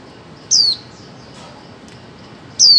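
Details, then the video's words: Female white-eye calling, used to stimulate mute birds into singing: two loud, sharp, high notes sliding downward, about two seconds apart, over a steady faint hiss. "Khuyên mái 2024 hàng giành cho chim câm"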